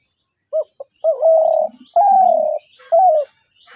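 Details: Spotted dove calling: two brief clipped notes, then long steady coos, one gently falling, with a final shorter coo; faint lower murmurs in the background.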